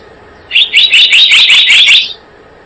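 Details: Blue-eared kingfisher, trapping lure recording: a single run of about eight rapid, shrill, high ringing notes lasting roughly a second and a half.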